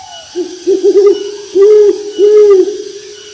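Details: Owl hooting in rice fields: three quick short hoots, then two longer, level hoots of about half a second each, over a steady low hum.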